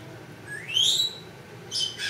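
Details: Two-year-old female Congo African grey parrot kept as a pet, calling with her owner nearby: a clear whistle rising steeply then held high, followed by two short raspy squawks.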